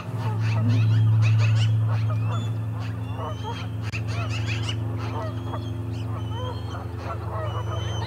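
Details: Osprey calling at the Charlo osprey nest on 29 August 2021: a rapid run of short, sharp chirps repeated through about eight seconds, with a steady low electrical hum underneath.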